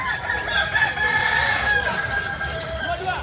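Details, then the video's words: Native Solok chickens of the Kukuak Balenggek breed from West Sumatra crow steadily, long sustained harmonic notes held for over a second with overlapping crows beneath and a few sharp clicks late on. "Ayam kukuak balenggek ayam asli solok sumbar"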